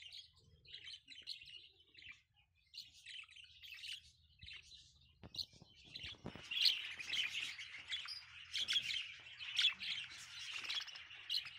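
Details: Budgerigars at a breeding farm of about 60 pairs chirp and warble in a busy chorus of high, scratchy twittering notes.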